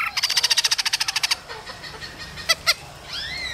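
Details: Laughingthrush in the cold season: a male sings and dances alongside a female's calls. A fast run of about fifteen harsh, buzzy pulses, then two sharp separate notes and a faint upward whistle at the end.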